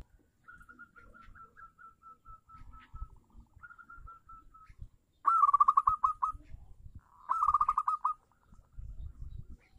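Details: Local zebra dove cooing as a lure for silent doves: drawn-out soft series of evenly spaced notes, then two loud, quick, rattling trilled phrases, with low knocking sounds underneath.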